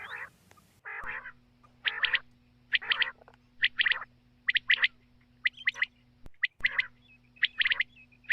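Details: Quail calls, played at night to lure quail for hunting. Buzzy notes come in pairs and triplets, repeated roughly every second over a steady electrical hum.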